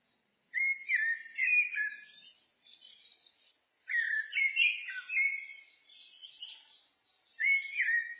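A common blackbird sings three rich, fluted, warbling phrases, each a few seconds long, separated by short pauses, with softer twittering trailing off their ends.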